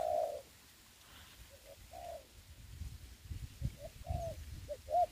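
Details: Spotted dove used as a trapping ground decoy in Vietnam during the Covid season: soft coos in a halting series, short notes leading into longer ones, with light low-pitched background noise.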